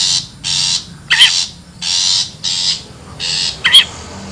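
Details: Wild long-tailed shrike used as a lure: rhythmic, breathy rasps about every half second, with two piercing, wavering squeals.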